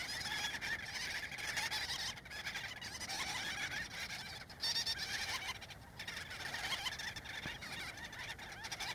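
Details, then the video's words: Gull-billed terns (Gelochelidon nilotica) at a breeding colony in central Spain, adults busily feeding chicks: a dense, continuous chorus of overlapping harsh and chattering calls from many birds, with no pause. "Gull-billed Tern colony"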